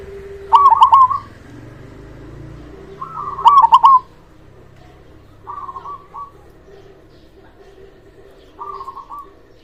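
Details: Local zebra dove singing loudly, played to stimulate silent or reluctant doves to sing: three to four phrases of low rolling, bubbly coos, each opening with sharp clicks, spaced about two to three seconds apart, quieter phrases fading later.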